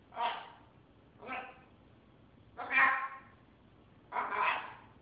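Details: Military macaw kept as a pet mimicking speech: four gravelly, cat-like vocal bursts of uneven length with pauses between them.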